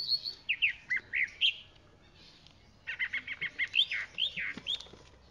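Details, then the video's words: Varied singing of a chalk-browed mockingbird, with a string of swooping whistled notes, a pause, then a rapid repeated series of short chirps followed by downslurred, rich phrases. "Calandria Grande Canto - Calandria Grande - Chalk-browed Mockingbird Bird Song - Mimus Saturninus"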